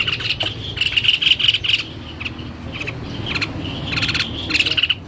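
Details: White-necked babbler singing hard: fast chattering series of high whistled notes in bursts, separated by brief gaps, ending in a tight rapid flurry; faint low hum behind.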